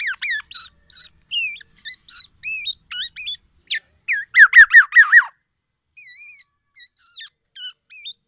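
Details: A tame black-naped oriole sings loudly and persistently. Varied short whistles and squeaky notes come in quick succession, with a burst of four rippling wavy whistles in the middle and then softer scattered notes.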